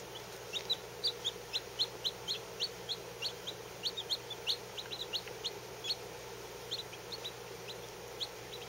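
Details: Newly hatched Lavender Orpington chicks, fourteen less than a day old, kept under heat: short sharp high cheeps repeated in a quick uneven stream, several birds overlapping, against a faint constant hum.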